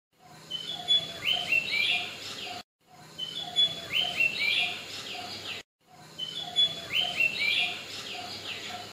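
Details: White-browed fantail's early-morning song, a short phrase of clear, high whistled notes rising in steps, repeated about every three seconds over a soft background hum.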